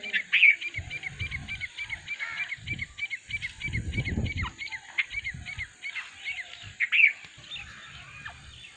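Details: Nine francolins (teetar) calling together in a dense chorus of overlapping high, scratchy, repeated notes, broken by low thumping noise and a few louder squeaky accents.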